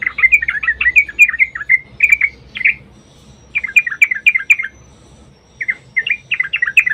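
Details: Sooty-headed bulbul in long rapid-trill fighting song, a lure to make other bulbuls sing; lively groups of slurred, bubbly notes broken by short pauses, repeated in three bouts.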